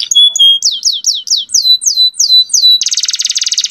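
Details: Canary song aimed at rousing female canaries into breeding readiness: a short level whistle, then repeated falling slurred notes about four per second, breaking into a fast buzzy trill.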